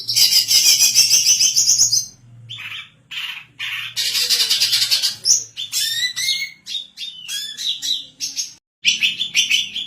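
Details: Vigorous singing from a female greater green leafbird, said to suit training other birds and luring: a long shrill trill, brief pauses, varied whistled phrases with rising and falling slurs, and short scratchy bursts.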